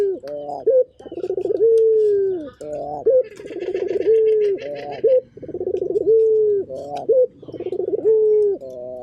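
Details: Loud rhythmic cooing of a local Indonesian puter turtle dove, each phrase a buzzy stuttering lead-in, a long mellow falling tone and an upturned flick, recurring about every two seconds; a brief rattling sound overhead.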